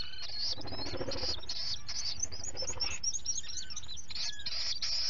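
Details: A Common murre chick at breakfast feeding on 11 July 2020 gives shrill, high peeping calls in quick overlapping bursts. Other colony birds call over a steady low rumble of wind and sea.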